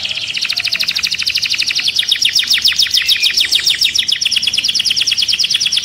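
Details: Canary delivering a steady, very rapid high trill for about six seconds without a break, sung to stimulate other birds and for mating.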